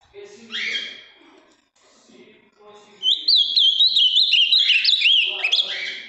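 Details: Ultramarine grosbeak, a large, deep-blue caged male from Minas Gerais, Brazil, with a very firm song: a loud, clear phrase of warbled whistles rising and falling quickly, preceded by a short harsh buzzy note and faint background voices.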